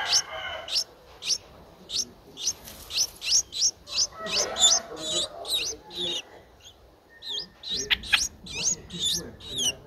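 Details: Nine-day-old Streak-eared Bulbul nestling, which opened its eyes at seven days, in Ubon Ratchathani, Thailand, on 11 April 2023. High, thin, rising squeaks come in a rapid, uneven series, about two or three a second, with a faint lower murmur midway.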